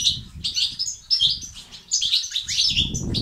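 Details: European goldfinch singing batbata and sitsat phrases, meant to encourage male goldfinches to become active and sing: quick liquid twitters and short buzzy trills in close bursts, with low background rumble.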